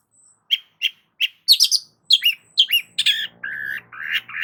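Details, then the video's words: Long-tailed shrike song, with a few evenly spaced chips building into rapid scratchy rising notes, then drawn-out buzzy, nasal tones over a faint low hum. "BURUNG CENDET GACOR"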